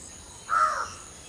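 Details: A single hoarse, drawn-out note from a common hill myna at dawn, preening and singing in the morning chorus, standing out against faint background hiss.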